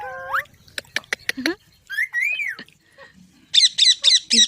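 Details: Pet green parrot at home: a rising cry and sharp clicks, a whistled arching note, then a quick series of five harsh, high squawks; a person speaks nearby.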